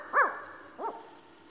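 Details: Male Mexican spotted owl calling in Zion National Park, answered by a nearby female; two short, barking, arched notes about two-thirds of a second apart, the first louder, over an otherwise quiet background.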